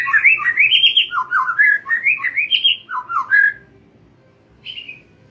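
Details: Lure song of a White-rumped shama, meant to set young and wild-caught birds singing freely: quick looping whistled phrases rising and dipping in a bouncy rhythm for over three seconds, a pause, then one short high whistle.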